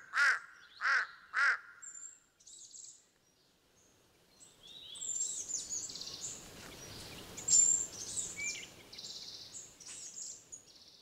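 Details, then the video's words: A Large-billed crow gives three loud, hoarse caws about two-thirds of a second apart, followed by a busy background of high chirps and twitters from smaller birds. "Large billed Crow"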